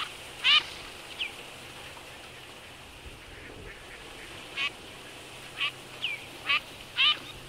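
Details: Eurasian teal flock on wintering grounds at Absheron National Park, Azerbaijan, where females keep pinching one another; sparse high whistled calls, brief and separated by pauses, against quiet background.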